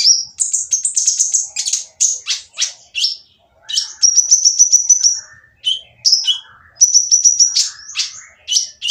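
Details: Oriental magpie-robin with a harsh, noisy song meant to provoke quiet magpie-robins into singing: loud bursts of high, rasping trills and buzzy notes alternating with sharp whistles, in dense phrases with short pauses.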